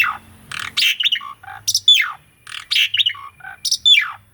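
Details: Caged Asian pied starling song used as a training master: harsh buzzy notes mixed with falling whistled slurs, phrases repeated roughly every second.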